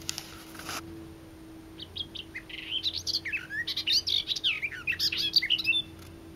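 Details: Garden warbler in unusually eager, loud song: after a brief noise burst and a quiet gap, a few isolated notes build into a rapid, tumbling warble of varied whistles and chatters lasting about four seconds, with a low constant hum behind.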